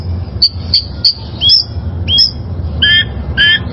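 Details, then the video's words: Wild oriental magpie-robin as a master song for caged birds: a series of short high notes about every third of a second, then rising whistles and ringing double notes, against low hum. "Masteran Suara Burung Kacer Liyar"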